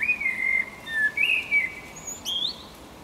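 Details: Eurasian blackbird singing a fluted, mellow warble of sliding whistles, followed by a brief higher twittering flourish near the end; light background hiss.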